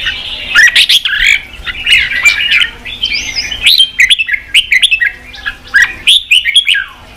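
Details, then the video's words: Red-whiskered bulbul singing, meant to stimulate rival birds and train their voices: a busy run of chirpy, whistled and slurred notes, some squeaky and rising, packed closely together with brief pauses. "Kích chào mào bổi đấu, luyện chào mào sổ giọng, kích chào mào căng lửa"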